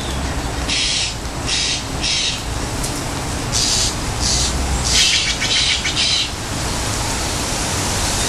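Steller's jay giving a run of harsh, raspy shack notes, roughly one or two a second, over a steady low rumble.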